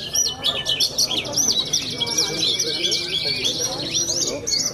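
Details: High, rapid bushlark song from a young contest bird in Cilacap, Java: tumbling slurred and rising notes packed tightly together, with a faint steady tone and soft lower chatter behind.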